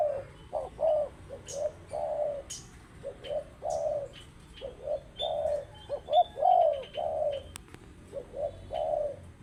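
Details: Spotted dove cooing: a steady series of low, soft, hollow coo notes in groups of two and three, repeated throughout, with faint high chirps from other birds in the background.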